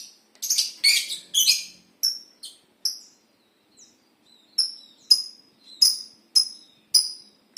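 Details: Lovebird in an aviary; sharp high chirps in short bursts, some clustered quickly, then single shrill chips about every half second.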